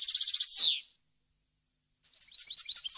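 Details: European goldfinch song of varied wild language, clear and error-free, intended for chicks and hybrids to learn: a rapid rolling trill sliding into a falling buzzy note, then after a gap a bright jumbled twitter begins.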